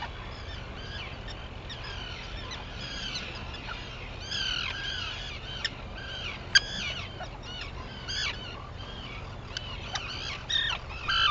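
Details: Arctic terns at sunrise on Seal Island, Maine, 11 June 2018, giving sharp, downward-slurring screeches, scattered at first then crowding together, over a soft constant rumble.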